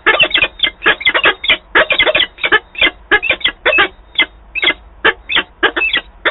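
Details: Peregrine falcons, two birds meeting at Wałbrzych, Poland, on 5 October 2022, quarrelling over the rest of the prey: rapid harsh cackling notes in uneven bursts, several per second, almost without pause.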